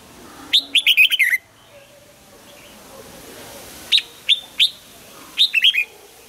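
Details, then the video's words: Red-whiskered bulbul in morning voice training, singing a double-note wild-style song: a rapid string of six bright warbling notes, a pause, then scattered single chirps and a short three-note phrase. "Luyện giọng cho chào mào hót sáng, ép chào mào hót âm kép già rừng hay tuyệt!"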